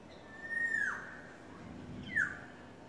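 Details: Yellowbird courting: a single long level whistle sliding down at its end, then after a gap a brief bright note that falls away.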